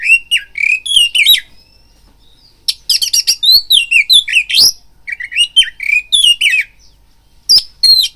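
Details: Oriental magpie-robin lure song for stirring a kept bird to fight: warbled whistles, thin drawn-out notes, then dense bursts of harsh rattling and sweeping slurred phrases.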